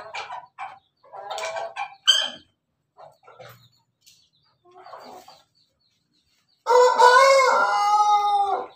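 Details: Domestic Pelung Bangkok chicken, 17 May 2024, with scattered soft clucks and short notes before a loud, two-second laughing-style crow whose harmonic tones waver and pulse rapidly.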